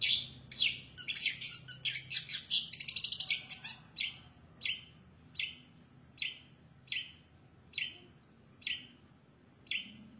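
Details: Long-tailed shrike in full song with a rich mimicked repertoire: a rapid jumble of varied high chirps and trills, then harsh, buzzy notes repeated roughly every 0.8 seconds.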